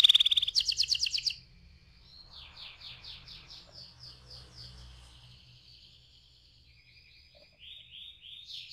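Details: Canary song opening with loud rapid buzzy trills, followed by quieter runs of repeated swept syllables changing in pitch and speed.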